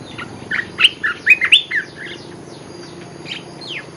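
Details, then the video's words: Olive-winged bulbul lure song, a rapid run of bubbly, rising and falling warbled notes in the first half, then a few fainter chirps and a downslurred note. "Suara pikat merbah belukar gacor"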